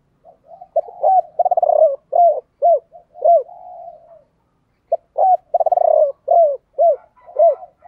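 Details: Spotted dove pair, male and female, calling to stimulate trained doves to coo. Two back-to-back phrases of deep falling hoots, each with a quick rolling trill, linked by a drawn-out soft coo.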